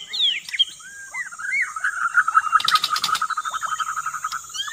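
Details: White-rumped shama song used as a lure for trapping: varied clear whistled phrases that slide up and down, then a fast buzzy rattling trill, with sharp clicks and a steady high electronic hiss throughout.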